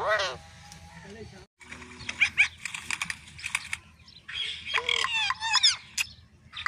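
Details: A pet rose-ringed parakeet (ringneck) named Mitthu talks in raspy, voice-like phrases, saying its name, broken by sharp, high chirps and squawks, with a steady low hum underneath.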